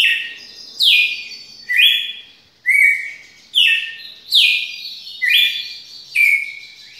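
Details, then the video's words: Extended long song from a red-cowled cardinal, seven or eight clear whistled phrases in a steady rhythm of about one per second, alternating downward sweeps and rising steps, little else audible. "Galo de campina canto longo"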